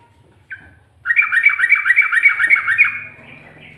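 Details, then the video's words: A sooty-headed bulbul gives one brief note, then a fast rolling ropel trill of bright, even, warbled pulses lasting about two seconds. It ends in a fading whistle over a low background hum. The bird's style includes ngikluk and garuda-like phrases. "Burung Trucuk Ropel,ngikluk...ada ngGARUDAnya juga"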